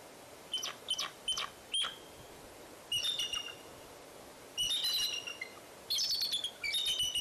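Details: Bald eagle at the Fraser Point nest on 04-10-2019, as eaglets fall out of the nest and return: high, thin piping notes in short bursts, then harsher chattering runs near the end, against faint background hiss.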